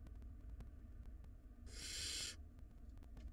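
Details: Wild barn owl nestlings in a nest box squabbling over a large rodent; a single harsh hissing screech of under a second rises out of steady low hum and faint clicks.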